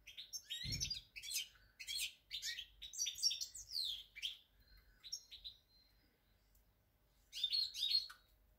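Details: European goldfinch on 8 February 2020, delivering quick tinkling and buzzy twitters in clustered bursts. A low thump sounds near the start, then a pause before a final bright flourish.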